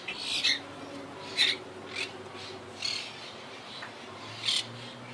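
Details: A wild Quaker parakeet colony living high in trees, regrouping since Hurricane Irma halved it in 2017. Harsh, scratchy squawks come in short separate bursts about once a second, with quieter chatter between them.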